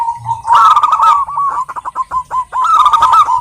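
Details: Zebra dove female of local wild stock calling a male: rough, loud warbled bursts at the start and end, separated by a few short, bouncing hooked coos.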